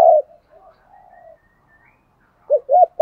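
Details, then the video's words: Spotted dove used as a decoy to stir wild doves: one loud opening coo and soft murmured notes, then after a pause two quick arched coos and a third beginning. "chim cu mồi kích bổi, tiếng thúc gáy gọi kích thích bổi rất xiêng gáy theo"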